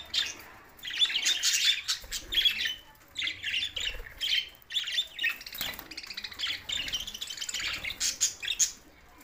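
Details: Budgerigars recorded in Larkana, Sindh on June 7, 2024: bursts of grating squawks and twittering chirps, loud at first, then softer scattered chatter toward the end.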